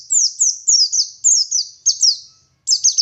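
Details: Oriental white-eye, dakun variety from Garut in West Java, in energetic ngalas song: high sliding whistles falling in pitch, delivered in tight pairs and triplets with a brief silence before a final chattering burst.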